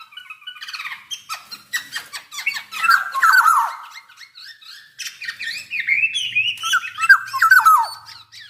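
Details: Javanese black-naped oriole, a caged bird in full song, giving rich fluting whistles and harsh squawky notes that slide down, mixed with chattering phrases, repeated in bursts every few seconds.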